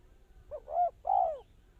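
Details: A spotted dove used as a trapping lure gives one clear cooing phrase: a short soft note, a louder steady coo, then a drawn-out falling croo, against a quiet background.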